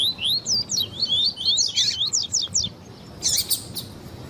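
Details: Double-collared seedeater singing with female calls mixed in to excite other birds. A fast string of clear, rising whistled notes runs for over two seconds, then gives way to harsh buzzy bursts.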